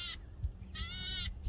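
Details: Tiny male golden-headed cisticola in breeding plumage, perched high on a tall grass stalk, singing vigorously to attract a mate: a long, rasping, buzzy note after the tail of an earlier one, with no replies heard.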